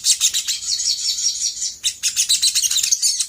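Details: Rapid, high chirping chatter from a sooty-headed bulbul, used as a lure to provoke responses from other birds, with one brief break partway through.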